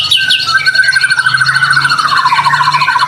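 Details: White-rumped shama in full song, used to prompt other shamas to sing: a long buzzy trill sliding slowly downward, with high thin notes scattered above it.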